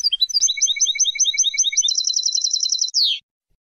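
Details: Goldfinch song meant for young birds to learn from: a rapidly repeated tinkling phrase over a thin lower tone, speeding into a dense bright trill and closing with a sharp downward sweep, then silence.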